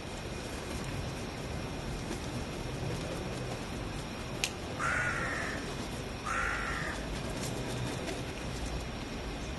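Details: Gulls calling, two harsh, drawn-out squalling notes about a second and a half apart over steady low background rumble.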